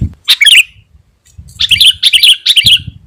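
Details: Sooty-headed bulbul song that draws in wild birds and provokes rivals: short bubbly note clusters repeated several times with gaps, faint low rumble beneath.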